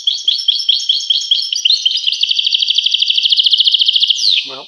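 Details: European goldfinch song: bouncing high twittered notes leading into a long, steady, very fast trill, ending with a downward sweep and a brief low nasal note.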